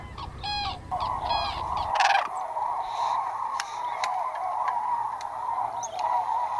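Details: White-naped cranes at Junam Reservoir, South Korea, part of a trumpeting flock feeding in fields and flying overhead. Two bursts of stacked, harmonic honking notes, then a steady droning hum in the background with scattered faint calls.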